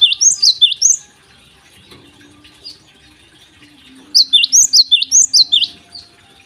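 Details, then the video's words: Lively morning song of a Java sparrow, meant to prompt untrained birds to sing. A quick string of bright, high chirps opens, then after a lull a longer run of about ten sharp, rapidly repeated notes. "gelatik gacor di pagi hari"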